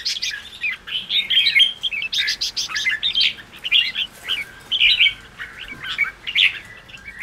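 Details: Red-whiskered bulbul singing in the ché style, meant to stir up newly caught birds. Bright, jumbled whistled phrases follow each other quickly, with short gaps. Several voices seem to overlap.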